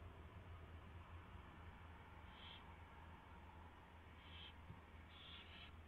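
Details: Nest-camera owl at 4:21 AM, 24 February 2016, during mouse delivery and feeding; four short scratchy high calls, the last two close together, against a faint background drone.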